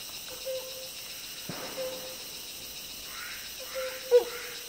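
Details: A helmeted hornbill in Malaysia in 2020 gives three level, mid-pitched hoots, each about half a second long and spaced a second or more apart, with a few sharp clicks and faint background hiss.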